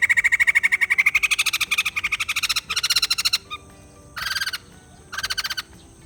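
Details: White-crested laughingthrush with a loud, fast rattling chatter that runs for about three seconds, then shorter separate bursts of the same harsh pulsed notes.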